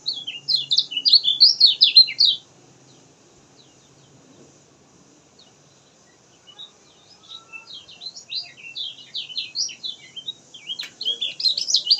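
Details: Lemon-bellied white-eye (kecial kuning) in full, continuous song, used as a lure to get lazy birds singing. Rapid high twittering chirps and trills in a dense two-second burst, a quiet pause, then another long chattering run building to the end.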